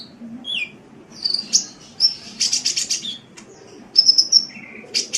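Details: Sunbird tutor recording for cage birds with thin, high twitters, brief buzzy trills and clipped chirps in uneven bursts. A faint low hum lies underneath.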